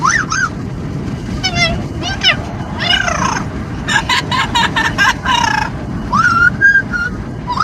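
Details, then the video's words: Amazon parrot calling constantly while riding in a car: a rapid series of varied squawks, whistles and rising-falling wails, some stuttered in quick bursts, over continuous wind and road noise. "the Parrot riding in car, making noise in the wind"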